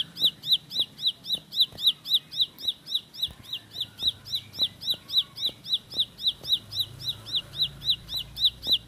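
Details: Bar-winged prinia (ciblek pari) firing a continuous, unbroken roll of shrill, clipped high notes at an even fast tempo for the whole stretch, with occasional faint knocks and low rumble underneath.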